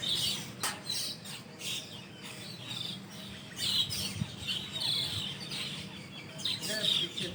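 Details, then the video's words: Large roosting group of Asian glossy starlings in a shady leafy tree, morning just after dawn prayer: bright thin whistles and clipped high chirps in scattered bursts, many birds overlapping, faint low background hum. "SUARA BURUNG PERLING"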